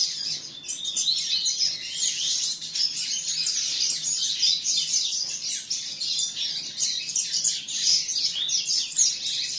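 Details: Canary chick's song: a steady, dense stream of high, rapid trills and sharp chirps that rises and falls slightly in loudness but never pauses.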